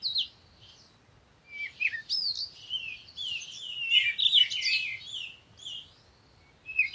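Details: Parakeet warbling in a long, busy stream of squeaky twitters and sharp upward flicks, quiet at first, then building into dense chatter before trailing off.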